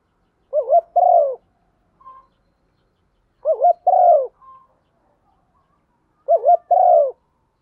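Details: Spotted dove female used to stimulate a male, cooing three times several seconds apart; each phrase a quick wavering note and a longer falling coo, with soft brief whistles in the gaps.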